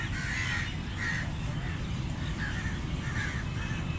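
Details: Crow giving scattered, fairly faint harsh caws, a few separate calls spread across four seconds against steady low-pitched background noise.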